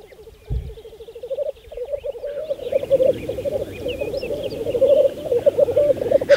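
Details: Black grouse at a spring lek on Saaremaa, Estonia, in 2014: a continuous low, dovelike bubbling rumble that swells and pulses steadily, with faint thin whistles of other birds above.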